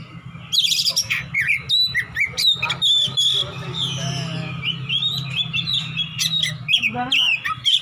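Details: Combative Oriental magpie-robin in ngeplong-style song, searching for a rival: dense, fast sequences of sharp whistles and chattering notes, some harsh squeaks near the end, steady low hum throughout.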